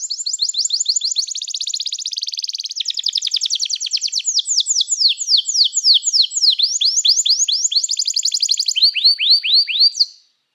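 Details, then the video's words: Canary singing a long training song: a rapid rolling trill opens, then a series of quick repeated downward-sweeping whistles, speeding and slowing in turns, ending with several clear slurred notes before stopping abruptly. "O som do canário cantando é muito gostoso! melhor treinamento para canario"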